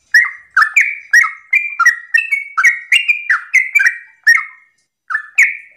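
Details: Lively morning song of a sooty-headed bulbul, used to stir other bulbuls to sing back: fast run of chirpy, downward-slurred whistles with sharp clicks, a short break near the end, then two final notes.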